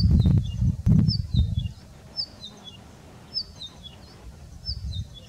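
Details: Siffling Cisticola singing at Nguuni, giving short runs of thin, high whistled notes that step downward, repeated about every second, over low rumbling wind noise.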